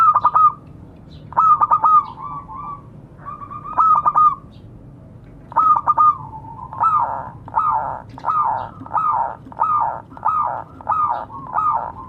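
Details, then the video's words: A lively local zebra dove calls to its companions, recorded for luring others. Three stuttered phrases of staccato notes end in drawn, wavering coos. Then comes a long rhythmic run of about nine rolling coos, twice per second. "Suara burung perkutut memanggil kawan."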